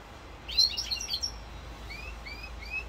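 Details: European goldfinch song in Corsica on 7 November 2022: a quick tinkling twitter, then three thin rising whistled notes spaced evenly, over a faint steady background hiss.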